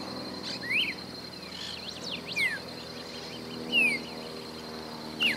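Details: Red-crested cardinal gives short, sharp, slurred notes about every one to two seconds while feeding in Esperanza, Santa Fe, Argentina, over a steady high insect drone.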